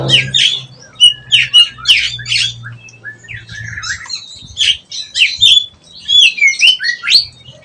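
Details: Kacer (oriental magpie-robin) learning ngeplong singing: repeated loud sharp chip-like notes, then varied whistles and slurred phrases, over a low steady hum during the first half.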